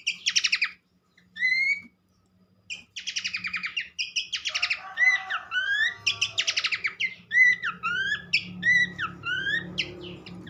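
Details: Horsfield's babbler song meant to stimulate other birds: loud whistles and scratchy buzzes at first, then a rapid run of short rising whistled notes mixed with harsh rattles, over a faint hum.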